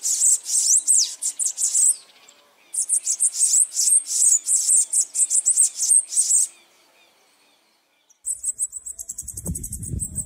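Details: High-pitched, rapid, wheezy trilling of a Bananaquit in two long phrases of fast sibilant notes. A brief pause follows, then a final fainter burst of high ticking over low rumbling noise.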